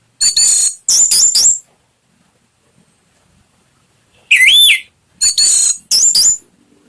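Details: Orange-headed thrush singing on a lure recording for pet birds: loud buzzy high phrases, then a clear looping whistle that rises and falls, followed by more rasping bursts.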